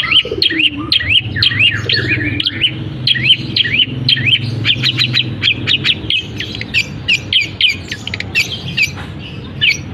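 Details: A long-tailed shrike in captivity mimics canary and other birds, first with looping up-and-down whistled notes about twice a second, then with rapid scratchy, high chips.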